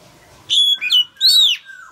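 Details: Loud song of a male oriental magpie-robin, meant to spur a young bird into singing: two bright whistled phrases, the first a steady high note dropping at the end, the second an arching sweep, on a quiet background.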